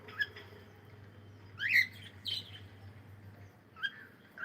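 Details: A cockatiel at play, singing: a few bright, rising whistled chirps in quick pairs, then a pause and more chirps, over a faint steady hum.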